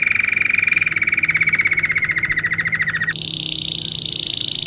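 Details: Belgian canary song for training young canaries: a rolling, slightly falling trill of quick pulses for three seconds, then an abrupt change to a higher, thinner, buzzy trill.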